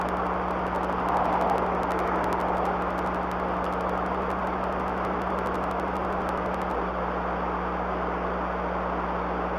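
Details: Steady broadband hiss with a low constant hum and rapid faint ticking, like engine or equipment noise, with no animal voice heard.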